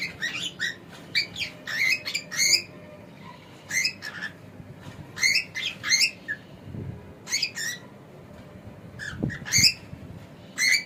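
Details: Male pet cockatiel giving a long run of short, sharp chirps and squawky notes in quick clusters. Low rumbles are heard now and then in the background.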